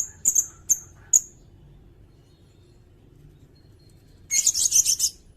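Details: Sirindet song meant as a master for kacer and magpie robins: three spaced high chips, a quiet gap, then a dense, scratchy burst of rapid high notes lasting about a second.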